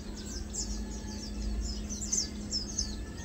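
Lowland white-eye giving thin, very high chirps in quick, scattered bursts over a steady low hum and background rumble.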